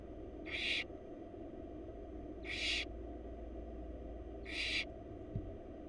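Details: Florida barn owl chicks, wild, fed by their mother in a nest box: three evenly spaced hoarse screeching hisses about two seconds apart, with a low continuous hum.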